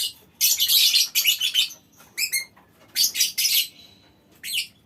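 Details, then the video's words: Lovebird colony in a small aviary; shrill, rasping chatter bursts alternate with brief pauses and a few clear, rising chirps in between. "Suara Lovebird Koloni Bikin Burung Lain Ikut Ngekek Panjang"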